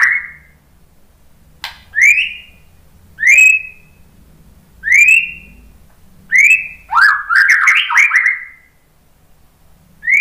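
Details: White-rumped shama stirred by a lure recording, giving clear rising whistles repeated roughly every one to two seconds, then a rapid stuttering run of stepped notes before returning to single whistles.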